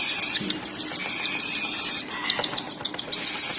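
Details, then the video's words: Cockatiel babies begging during feeding by the mother: rapid thin chirps, quieter in the middle, then a louder burst of regular pulses toward the end. "Cockatiel Parrots Mother Feeding to Cute & Lovely Baby's"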